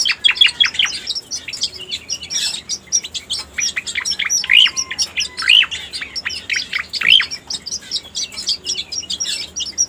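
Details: Lure recording of the striated grassbird (cica koreng): fast, thin chattering of high chirps, with louder rising notes that stand out roughly every second midway through, over a quiet background.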